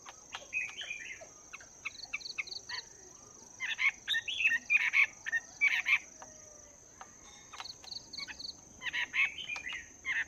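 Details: Caged Chinese hwamei, two months in captivity, morning voice training: clusters of sharp chipping notes and short whistled phrases in bursts, moderately loud, with a steady high tonal whine and background noise.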